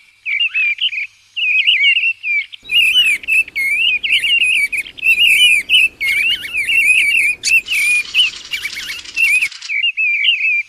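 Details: Mistle thrush, recorded 2020, sings an almost unbroken run of fluty, warbled phrases with squeaky high flourishes, over a steady rushing background noise.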